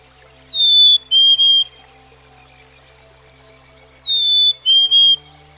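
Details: Two clean whistled phrases from a Black-capped Chickadee, each a high sweet note dropping to a slightly lower held note, spaced about three and a half seconds apart, with soft continuous low tones underneath.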